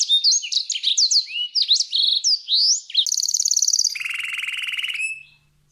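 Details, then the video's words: Canary in full, energetic song, played as a tutor for competition birds, with konin and blackthroat phrases. A run of varied quick whistled and slurred notes leads into a rapid high trill, then a lower rattling trill. "KENARI GACOR UNTUK MASTERAN BURUNG JAWARA| full tembakan konin dan balckthroat"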